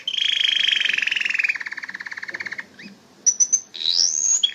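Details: Canary singing a long rolling trill that steps down in pitch, then after a pause a few high pips and a rising whistled sweep.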